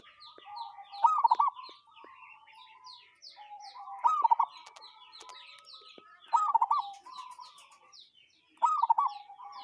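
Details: A local zebra dove gives a strange call: loud bursts of quick, rolling, looped notes repeated about every two and a half seconds over quieter sustained tones, with other small birds chirping busily at higher pitch.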